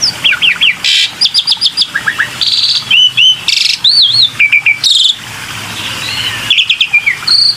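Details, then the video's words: Black-winged myna lure song: rapid falling chirps, high squeaks, buzzy blasts and looping wavy whistles, delivered in lively bursts with short breaks. "PANCINGAN SUARA BURUNG JALAK PUTIH"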